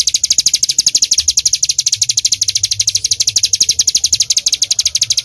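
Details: Mountain bar-winged prinia in full, energetic song: rapid, evenly repeated piercing chip notes forming a continuous high rattle-like series, loud and close, with slight low background rumble.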